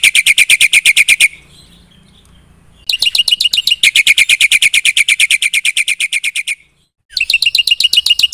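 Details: Black-winged myna in nonstop song full of fill-in phrases, meant to set other birds calling: long trains of fast, even, shrill chips with short gaps where the chatter stops and restarts.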